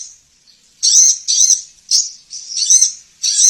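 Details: Sogon sunbird lure recording meant to get caged birds singing readily. Six short, very high buzzy bursts of about a third of a second each, separated by brief gaps, after a quiet opening.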